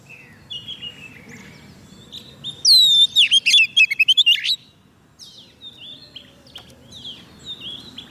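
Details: Oriental magpie-robin, soft-food-fed and eager to sing, calling wild birds: faint twitter, then a loud burst of wavering whistles and fast rattling notes, fading back to soft distant chirps.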